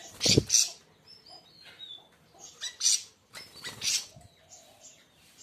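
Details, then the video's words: Siri-siri raja (siri-siri besar) delivering scratchy high chirps and squawks in uneven bursts, with a thin whistle in between and occasional low thumps or knocks nearby. "kicau burung siri siri raja"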